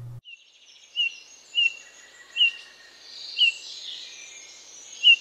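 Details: Eurasian bullfinch giving its unobtrusive, shy call, a series of quiet mournful piping whistles, five brief notes about a second apart over faint background hiss and distant chirps.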